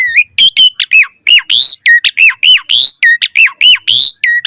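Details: Asian pied starling delivering a varied training song for other starlings, with hook-shaped whistled notes repeated about once per second, interspersed with sharp clicks and rasping upswept buzzes.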